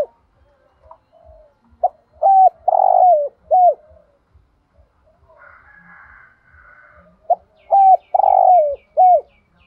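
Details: Cooing song of a spotted dove in the 'thổ đồng' voice, with 'thúc gù' style. A soft lead-in note precedes clear coos, a long rough coo and a dipping final coo. The phrase repeats after about five seconds, with faint twittering from other birds between.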